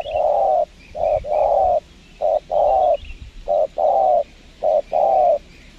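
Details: Steady, rhythmic spotted dove calls at a windy Lombok trapping spot with a lure bird; each phrase pairs a brief coo with a long, full crooning note, repeating about once every second, with faint higher chirps from other birds behind.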